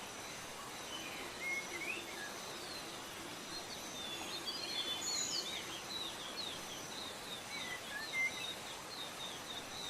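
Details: Serindit from Indonesia, the blue-crowned hanging parrot: soft, high-pitched chirps and brief whistled slurs repeated irregularly for ten seconds, with a couple of brighter upward tweets, over persistent background noise.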